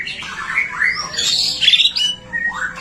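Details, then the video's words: White-rumped shama song used to provoke other shamas to sing, heard softer and blurred; swooping whistles and a dense high warbled burst, then one more rising note. "Suara murai batu gacor AMPUH buat PANCINGAN murai batu agar BUNYI"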